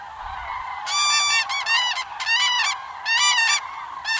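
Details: Common cranes at the Yelnya upland marsh in Miory District, Belarus, a migration stopover shared with thousands of geese; loud, rolling, trumpeting calls come in bursts of about half a second, five in four seconds, over a faint background flock chorus.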